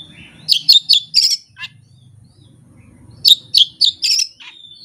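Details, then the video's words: Oriental magpie-robin bringing out its learned repertoire with no tutor recording and no rival: two bouts of four or five loud, rapid, scratchy chip notes about four per second, separated by a quiet pause. "KACER JAYA SURYA NEKAT BONGKAR ISIAN TANPA MASTERAN DAN TANPA LAWAN"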